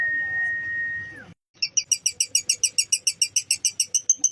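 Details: Lovebird heard in a training recording meant to stir up other lovebirds' emotion and fighting spirit: a steady pure whistled tone fades out, then after a short gap comes a fast series of bright, harmonic chirps at about three per second.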